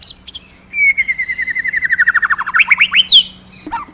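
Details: A magpie-robin in full, lively song gives a long, rapid run of notes that slowly descends, then breaks into quick upward-sweeping whistles and ends with a brief downward slur.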